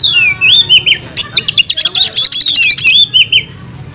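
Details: Kacer, the oriental magpie-robin, singing hard in combative 'tarung' style, showing off its fill-in phrases: slurred descending whistles, then a dense burst of rapid, scratchy high notes, closing with wavering whistles.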